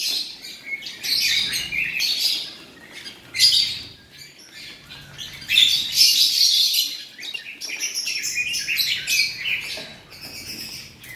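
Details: Male Oriental magpie-robin, a caged bird offered for sale, singing in dense bursts of high, scratchy, varied phrases broken by short pauses.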